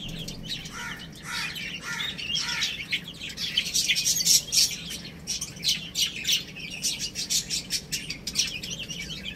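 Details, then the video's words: Baby chickens at play and feeding: loud falling cheeps early on, then a rapid stream of sharp high peeps from several chicks at roughly three per second. "Adorable Little Chicks Chirping Sounds"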